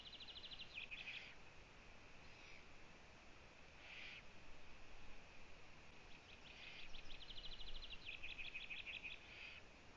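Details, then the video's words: Eurasian eagle-owl at a nest in Latvia, picked up by a live nest camera on 1 June 2017 at 15:01, as the female visits her owlets: raspy hissing calls and rapid chattering trills, heard against steady background hiss. "Eurasian Eagle Owl~Bo vists her Owlets~"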